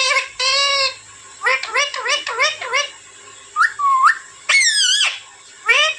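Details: Young Alexandrine parakeet giving harsh, harmonic squawks: a run of short rising-and-falling calls, then drawn-out wavering cries with quiet gaps between them.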